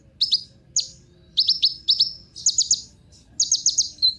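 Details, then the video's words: Kolibri ninja sunbird song, used as a lure to prompt other cage birds to sing: short, high, sharp chirps in quick clusters of two to four notes, with pauses between bursts, over a faint low hum. "Kolibri Ninja Pancingan Penggacor Burung Cocok Buat Isian Segala Burung"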